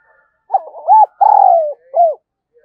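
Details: Spotted dove, a single cooing phrase for stimulating a decoy bird to fight: a pair of rounded notes, a long vibrating coo gliding downward, then one short closing coo.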